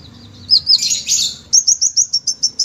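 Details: High thin sunbird song ('gacor'): a few squeaky notes, a brief buzzy burst, then a fast even run of shrill ticking notes, roughly eight per second.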